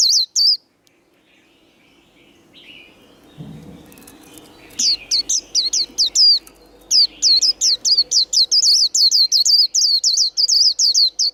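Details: Contest-singing white-eye (vành khuyên líu đấu): brief high notes, a quiet pause with a soft thud, then a long run of quick, piercing, down-up whistled notes repeated steadily.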